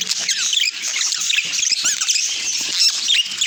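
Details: Budgerigars chirping in a dense, continuous chatter of overlapping high, quick twitters and squeaky notes, many birds calling at once without pause.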